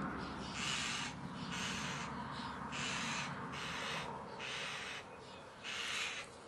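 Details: Common starling chicks at feeding time, giving faint, raspy, hissing begging calls in bursts of about half a second, roughly one per second, over a steady background hum.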